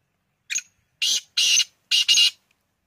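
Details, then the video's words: Male black francolin: a brief opening note, then loud rasping, scratchy bursts with the final pair joined, delivered cleanly with no background sound. "Kala Teetar Ki Awaz"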